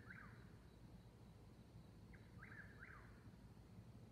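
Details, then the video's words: Eastern whip-poor-wills dueling in the night near Seneca, South Carolina, by Davis Creek Road, 22:42, 19 May 2021, 69 °F. One whistled phrase opens, silence follows, then a clear pair of repeated whistled phrases with falling tails over a low hum. "Dueling whippoorwills"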